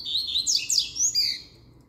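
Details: Energetic double-collared seedeater song: a dense run of high, sharp chirps and steep downward-sweeping slurred notes, delivered fast and firmly for over a second before fading.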